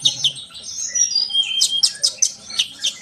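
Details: A short sunbird song used to encourage trainee birds to sing. Thin whistled slurs rise and fall, broken by crisp high chips every fraction of a second.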